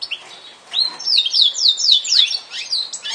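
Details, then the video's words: Yorkshire canary singing: a rapid series of bright whistled notes sliding downward, repeated several times a second in a rolling phrase, with brief softer chirps before and after. "kenari yorkshire - Singa Eropa yang Melegenda"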